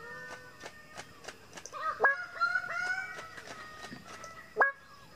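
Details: Greater bird-of-paradise calling: loud, harsh, harmonic notes that start with a sharp upward sweep and then hold level, two strong calls between softer clicks and background calling.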